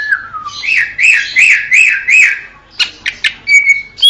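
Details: Greater green leafbird: a falling whistle, then five rhythmic upslurred whistled notes, followed by sharp clicky chips and a thin, level whistle; a recording meant to prompt caged birds into fuller song.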